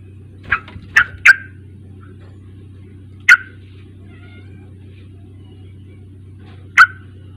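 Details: Lure sounds of a sooty-headed bulbul, used to get a young bird to start singing: a quick burst of three clipped, bright notes, then two more spaced seconds apart, with a constant low hum beneath.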